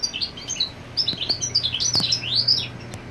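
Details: Male European goldfinch proclaiming territory with the female on the nest: lively sequence of rising and falling chirps and sweet slurred whistles, a few soft clicks, light background hum.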